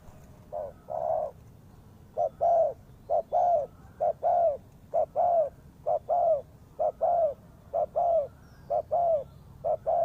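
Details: Spotted dove used as a trapping lure, giving a steady run of mellow, low coos, each a brief note followed by a longer rolling one, repeated about once a second throughout.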